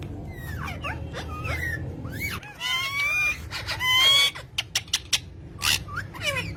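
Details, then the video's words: Green pet parrots chattering: curved chirps at first, then a loud harsh squawking burst with rising whistled tones, followed by quick sharp clicks and a few more chirps. "talking parrot"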